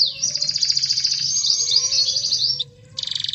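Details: Canary song used to provoke a quiet canary into singing: a long, fast, high trill of rapid repeated notes for over two seconds, a short break, then another quick pulsing trill.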